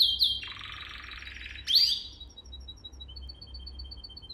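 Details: Canary song for training young canaries: a sharp high note, a long buzzy rolling trill, a loud high burst, then a thin series of soft, spaced high pips that slowly fade.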